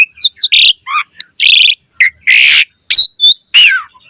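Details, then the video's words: Asian pied starling delivering busy 'gacor mompa' song as a lure: loud harsh grating squawks mixed with thin high whistles and short chirps, each burst under half a second. "Jalak Suren Gacor Mompa Variasi Suara Burung Kicau Cepat NYAUT Gacor Full Isian Mewah"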